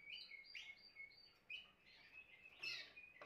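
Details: Timbrado canary singing: quiet high warbled phrases with short whistled notes and brief trills, separated by small pauses, over faint background hiss.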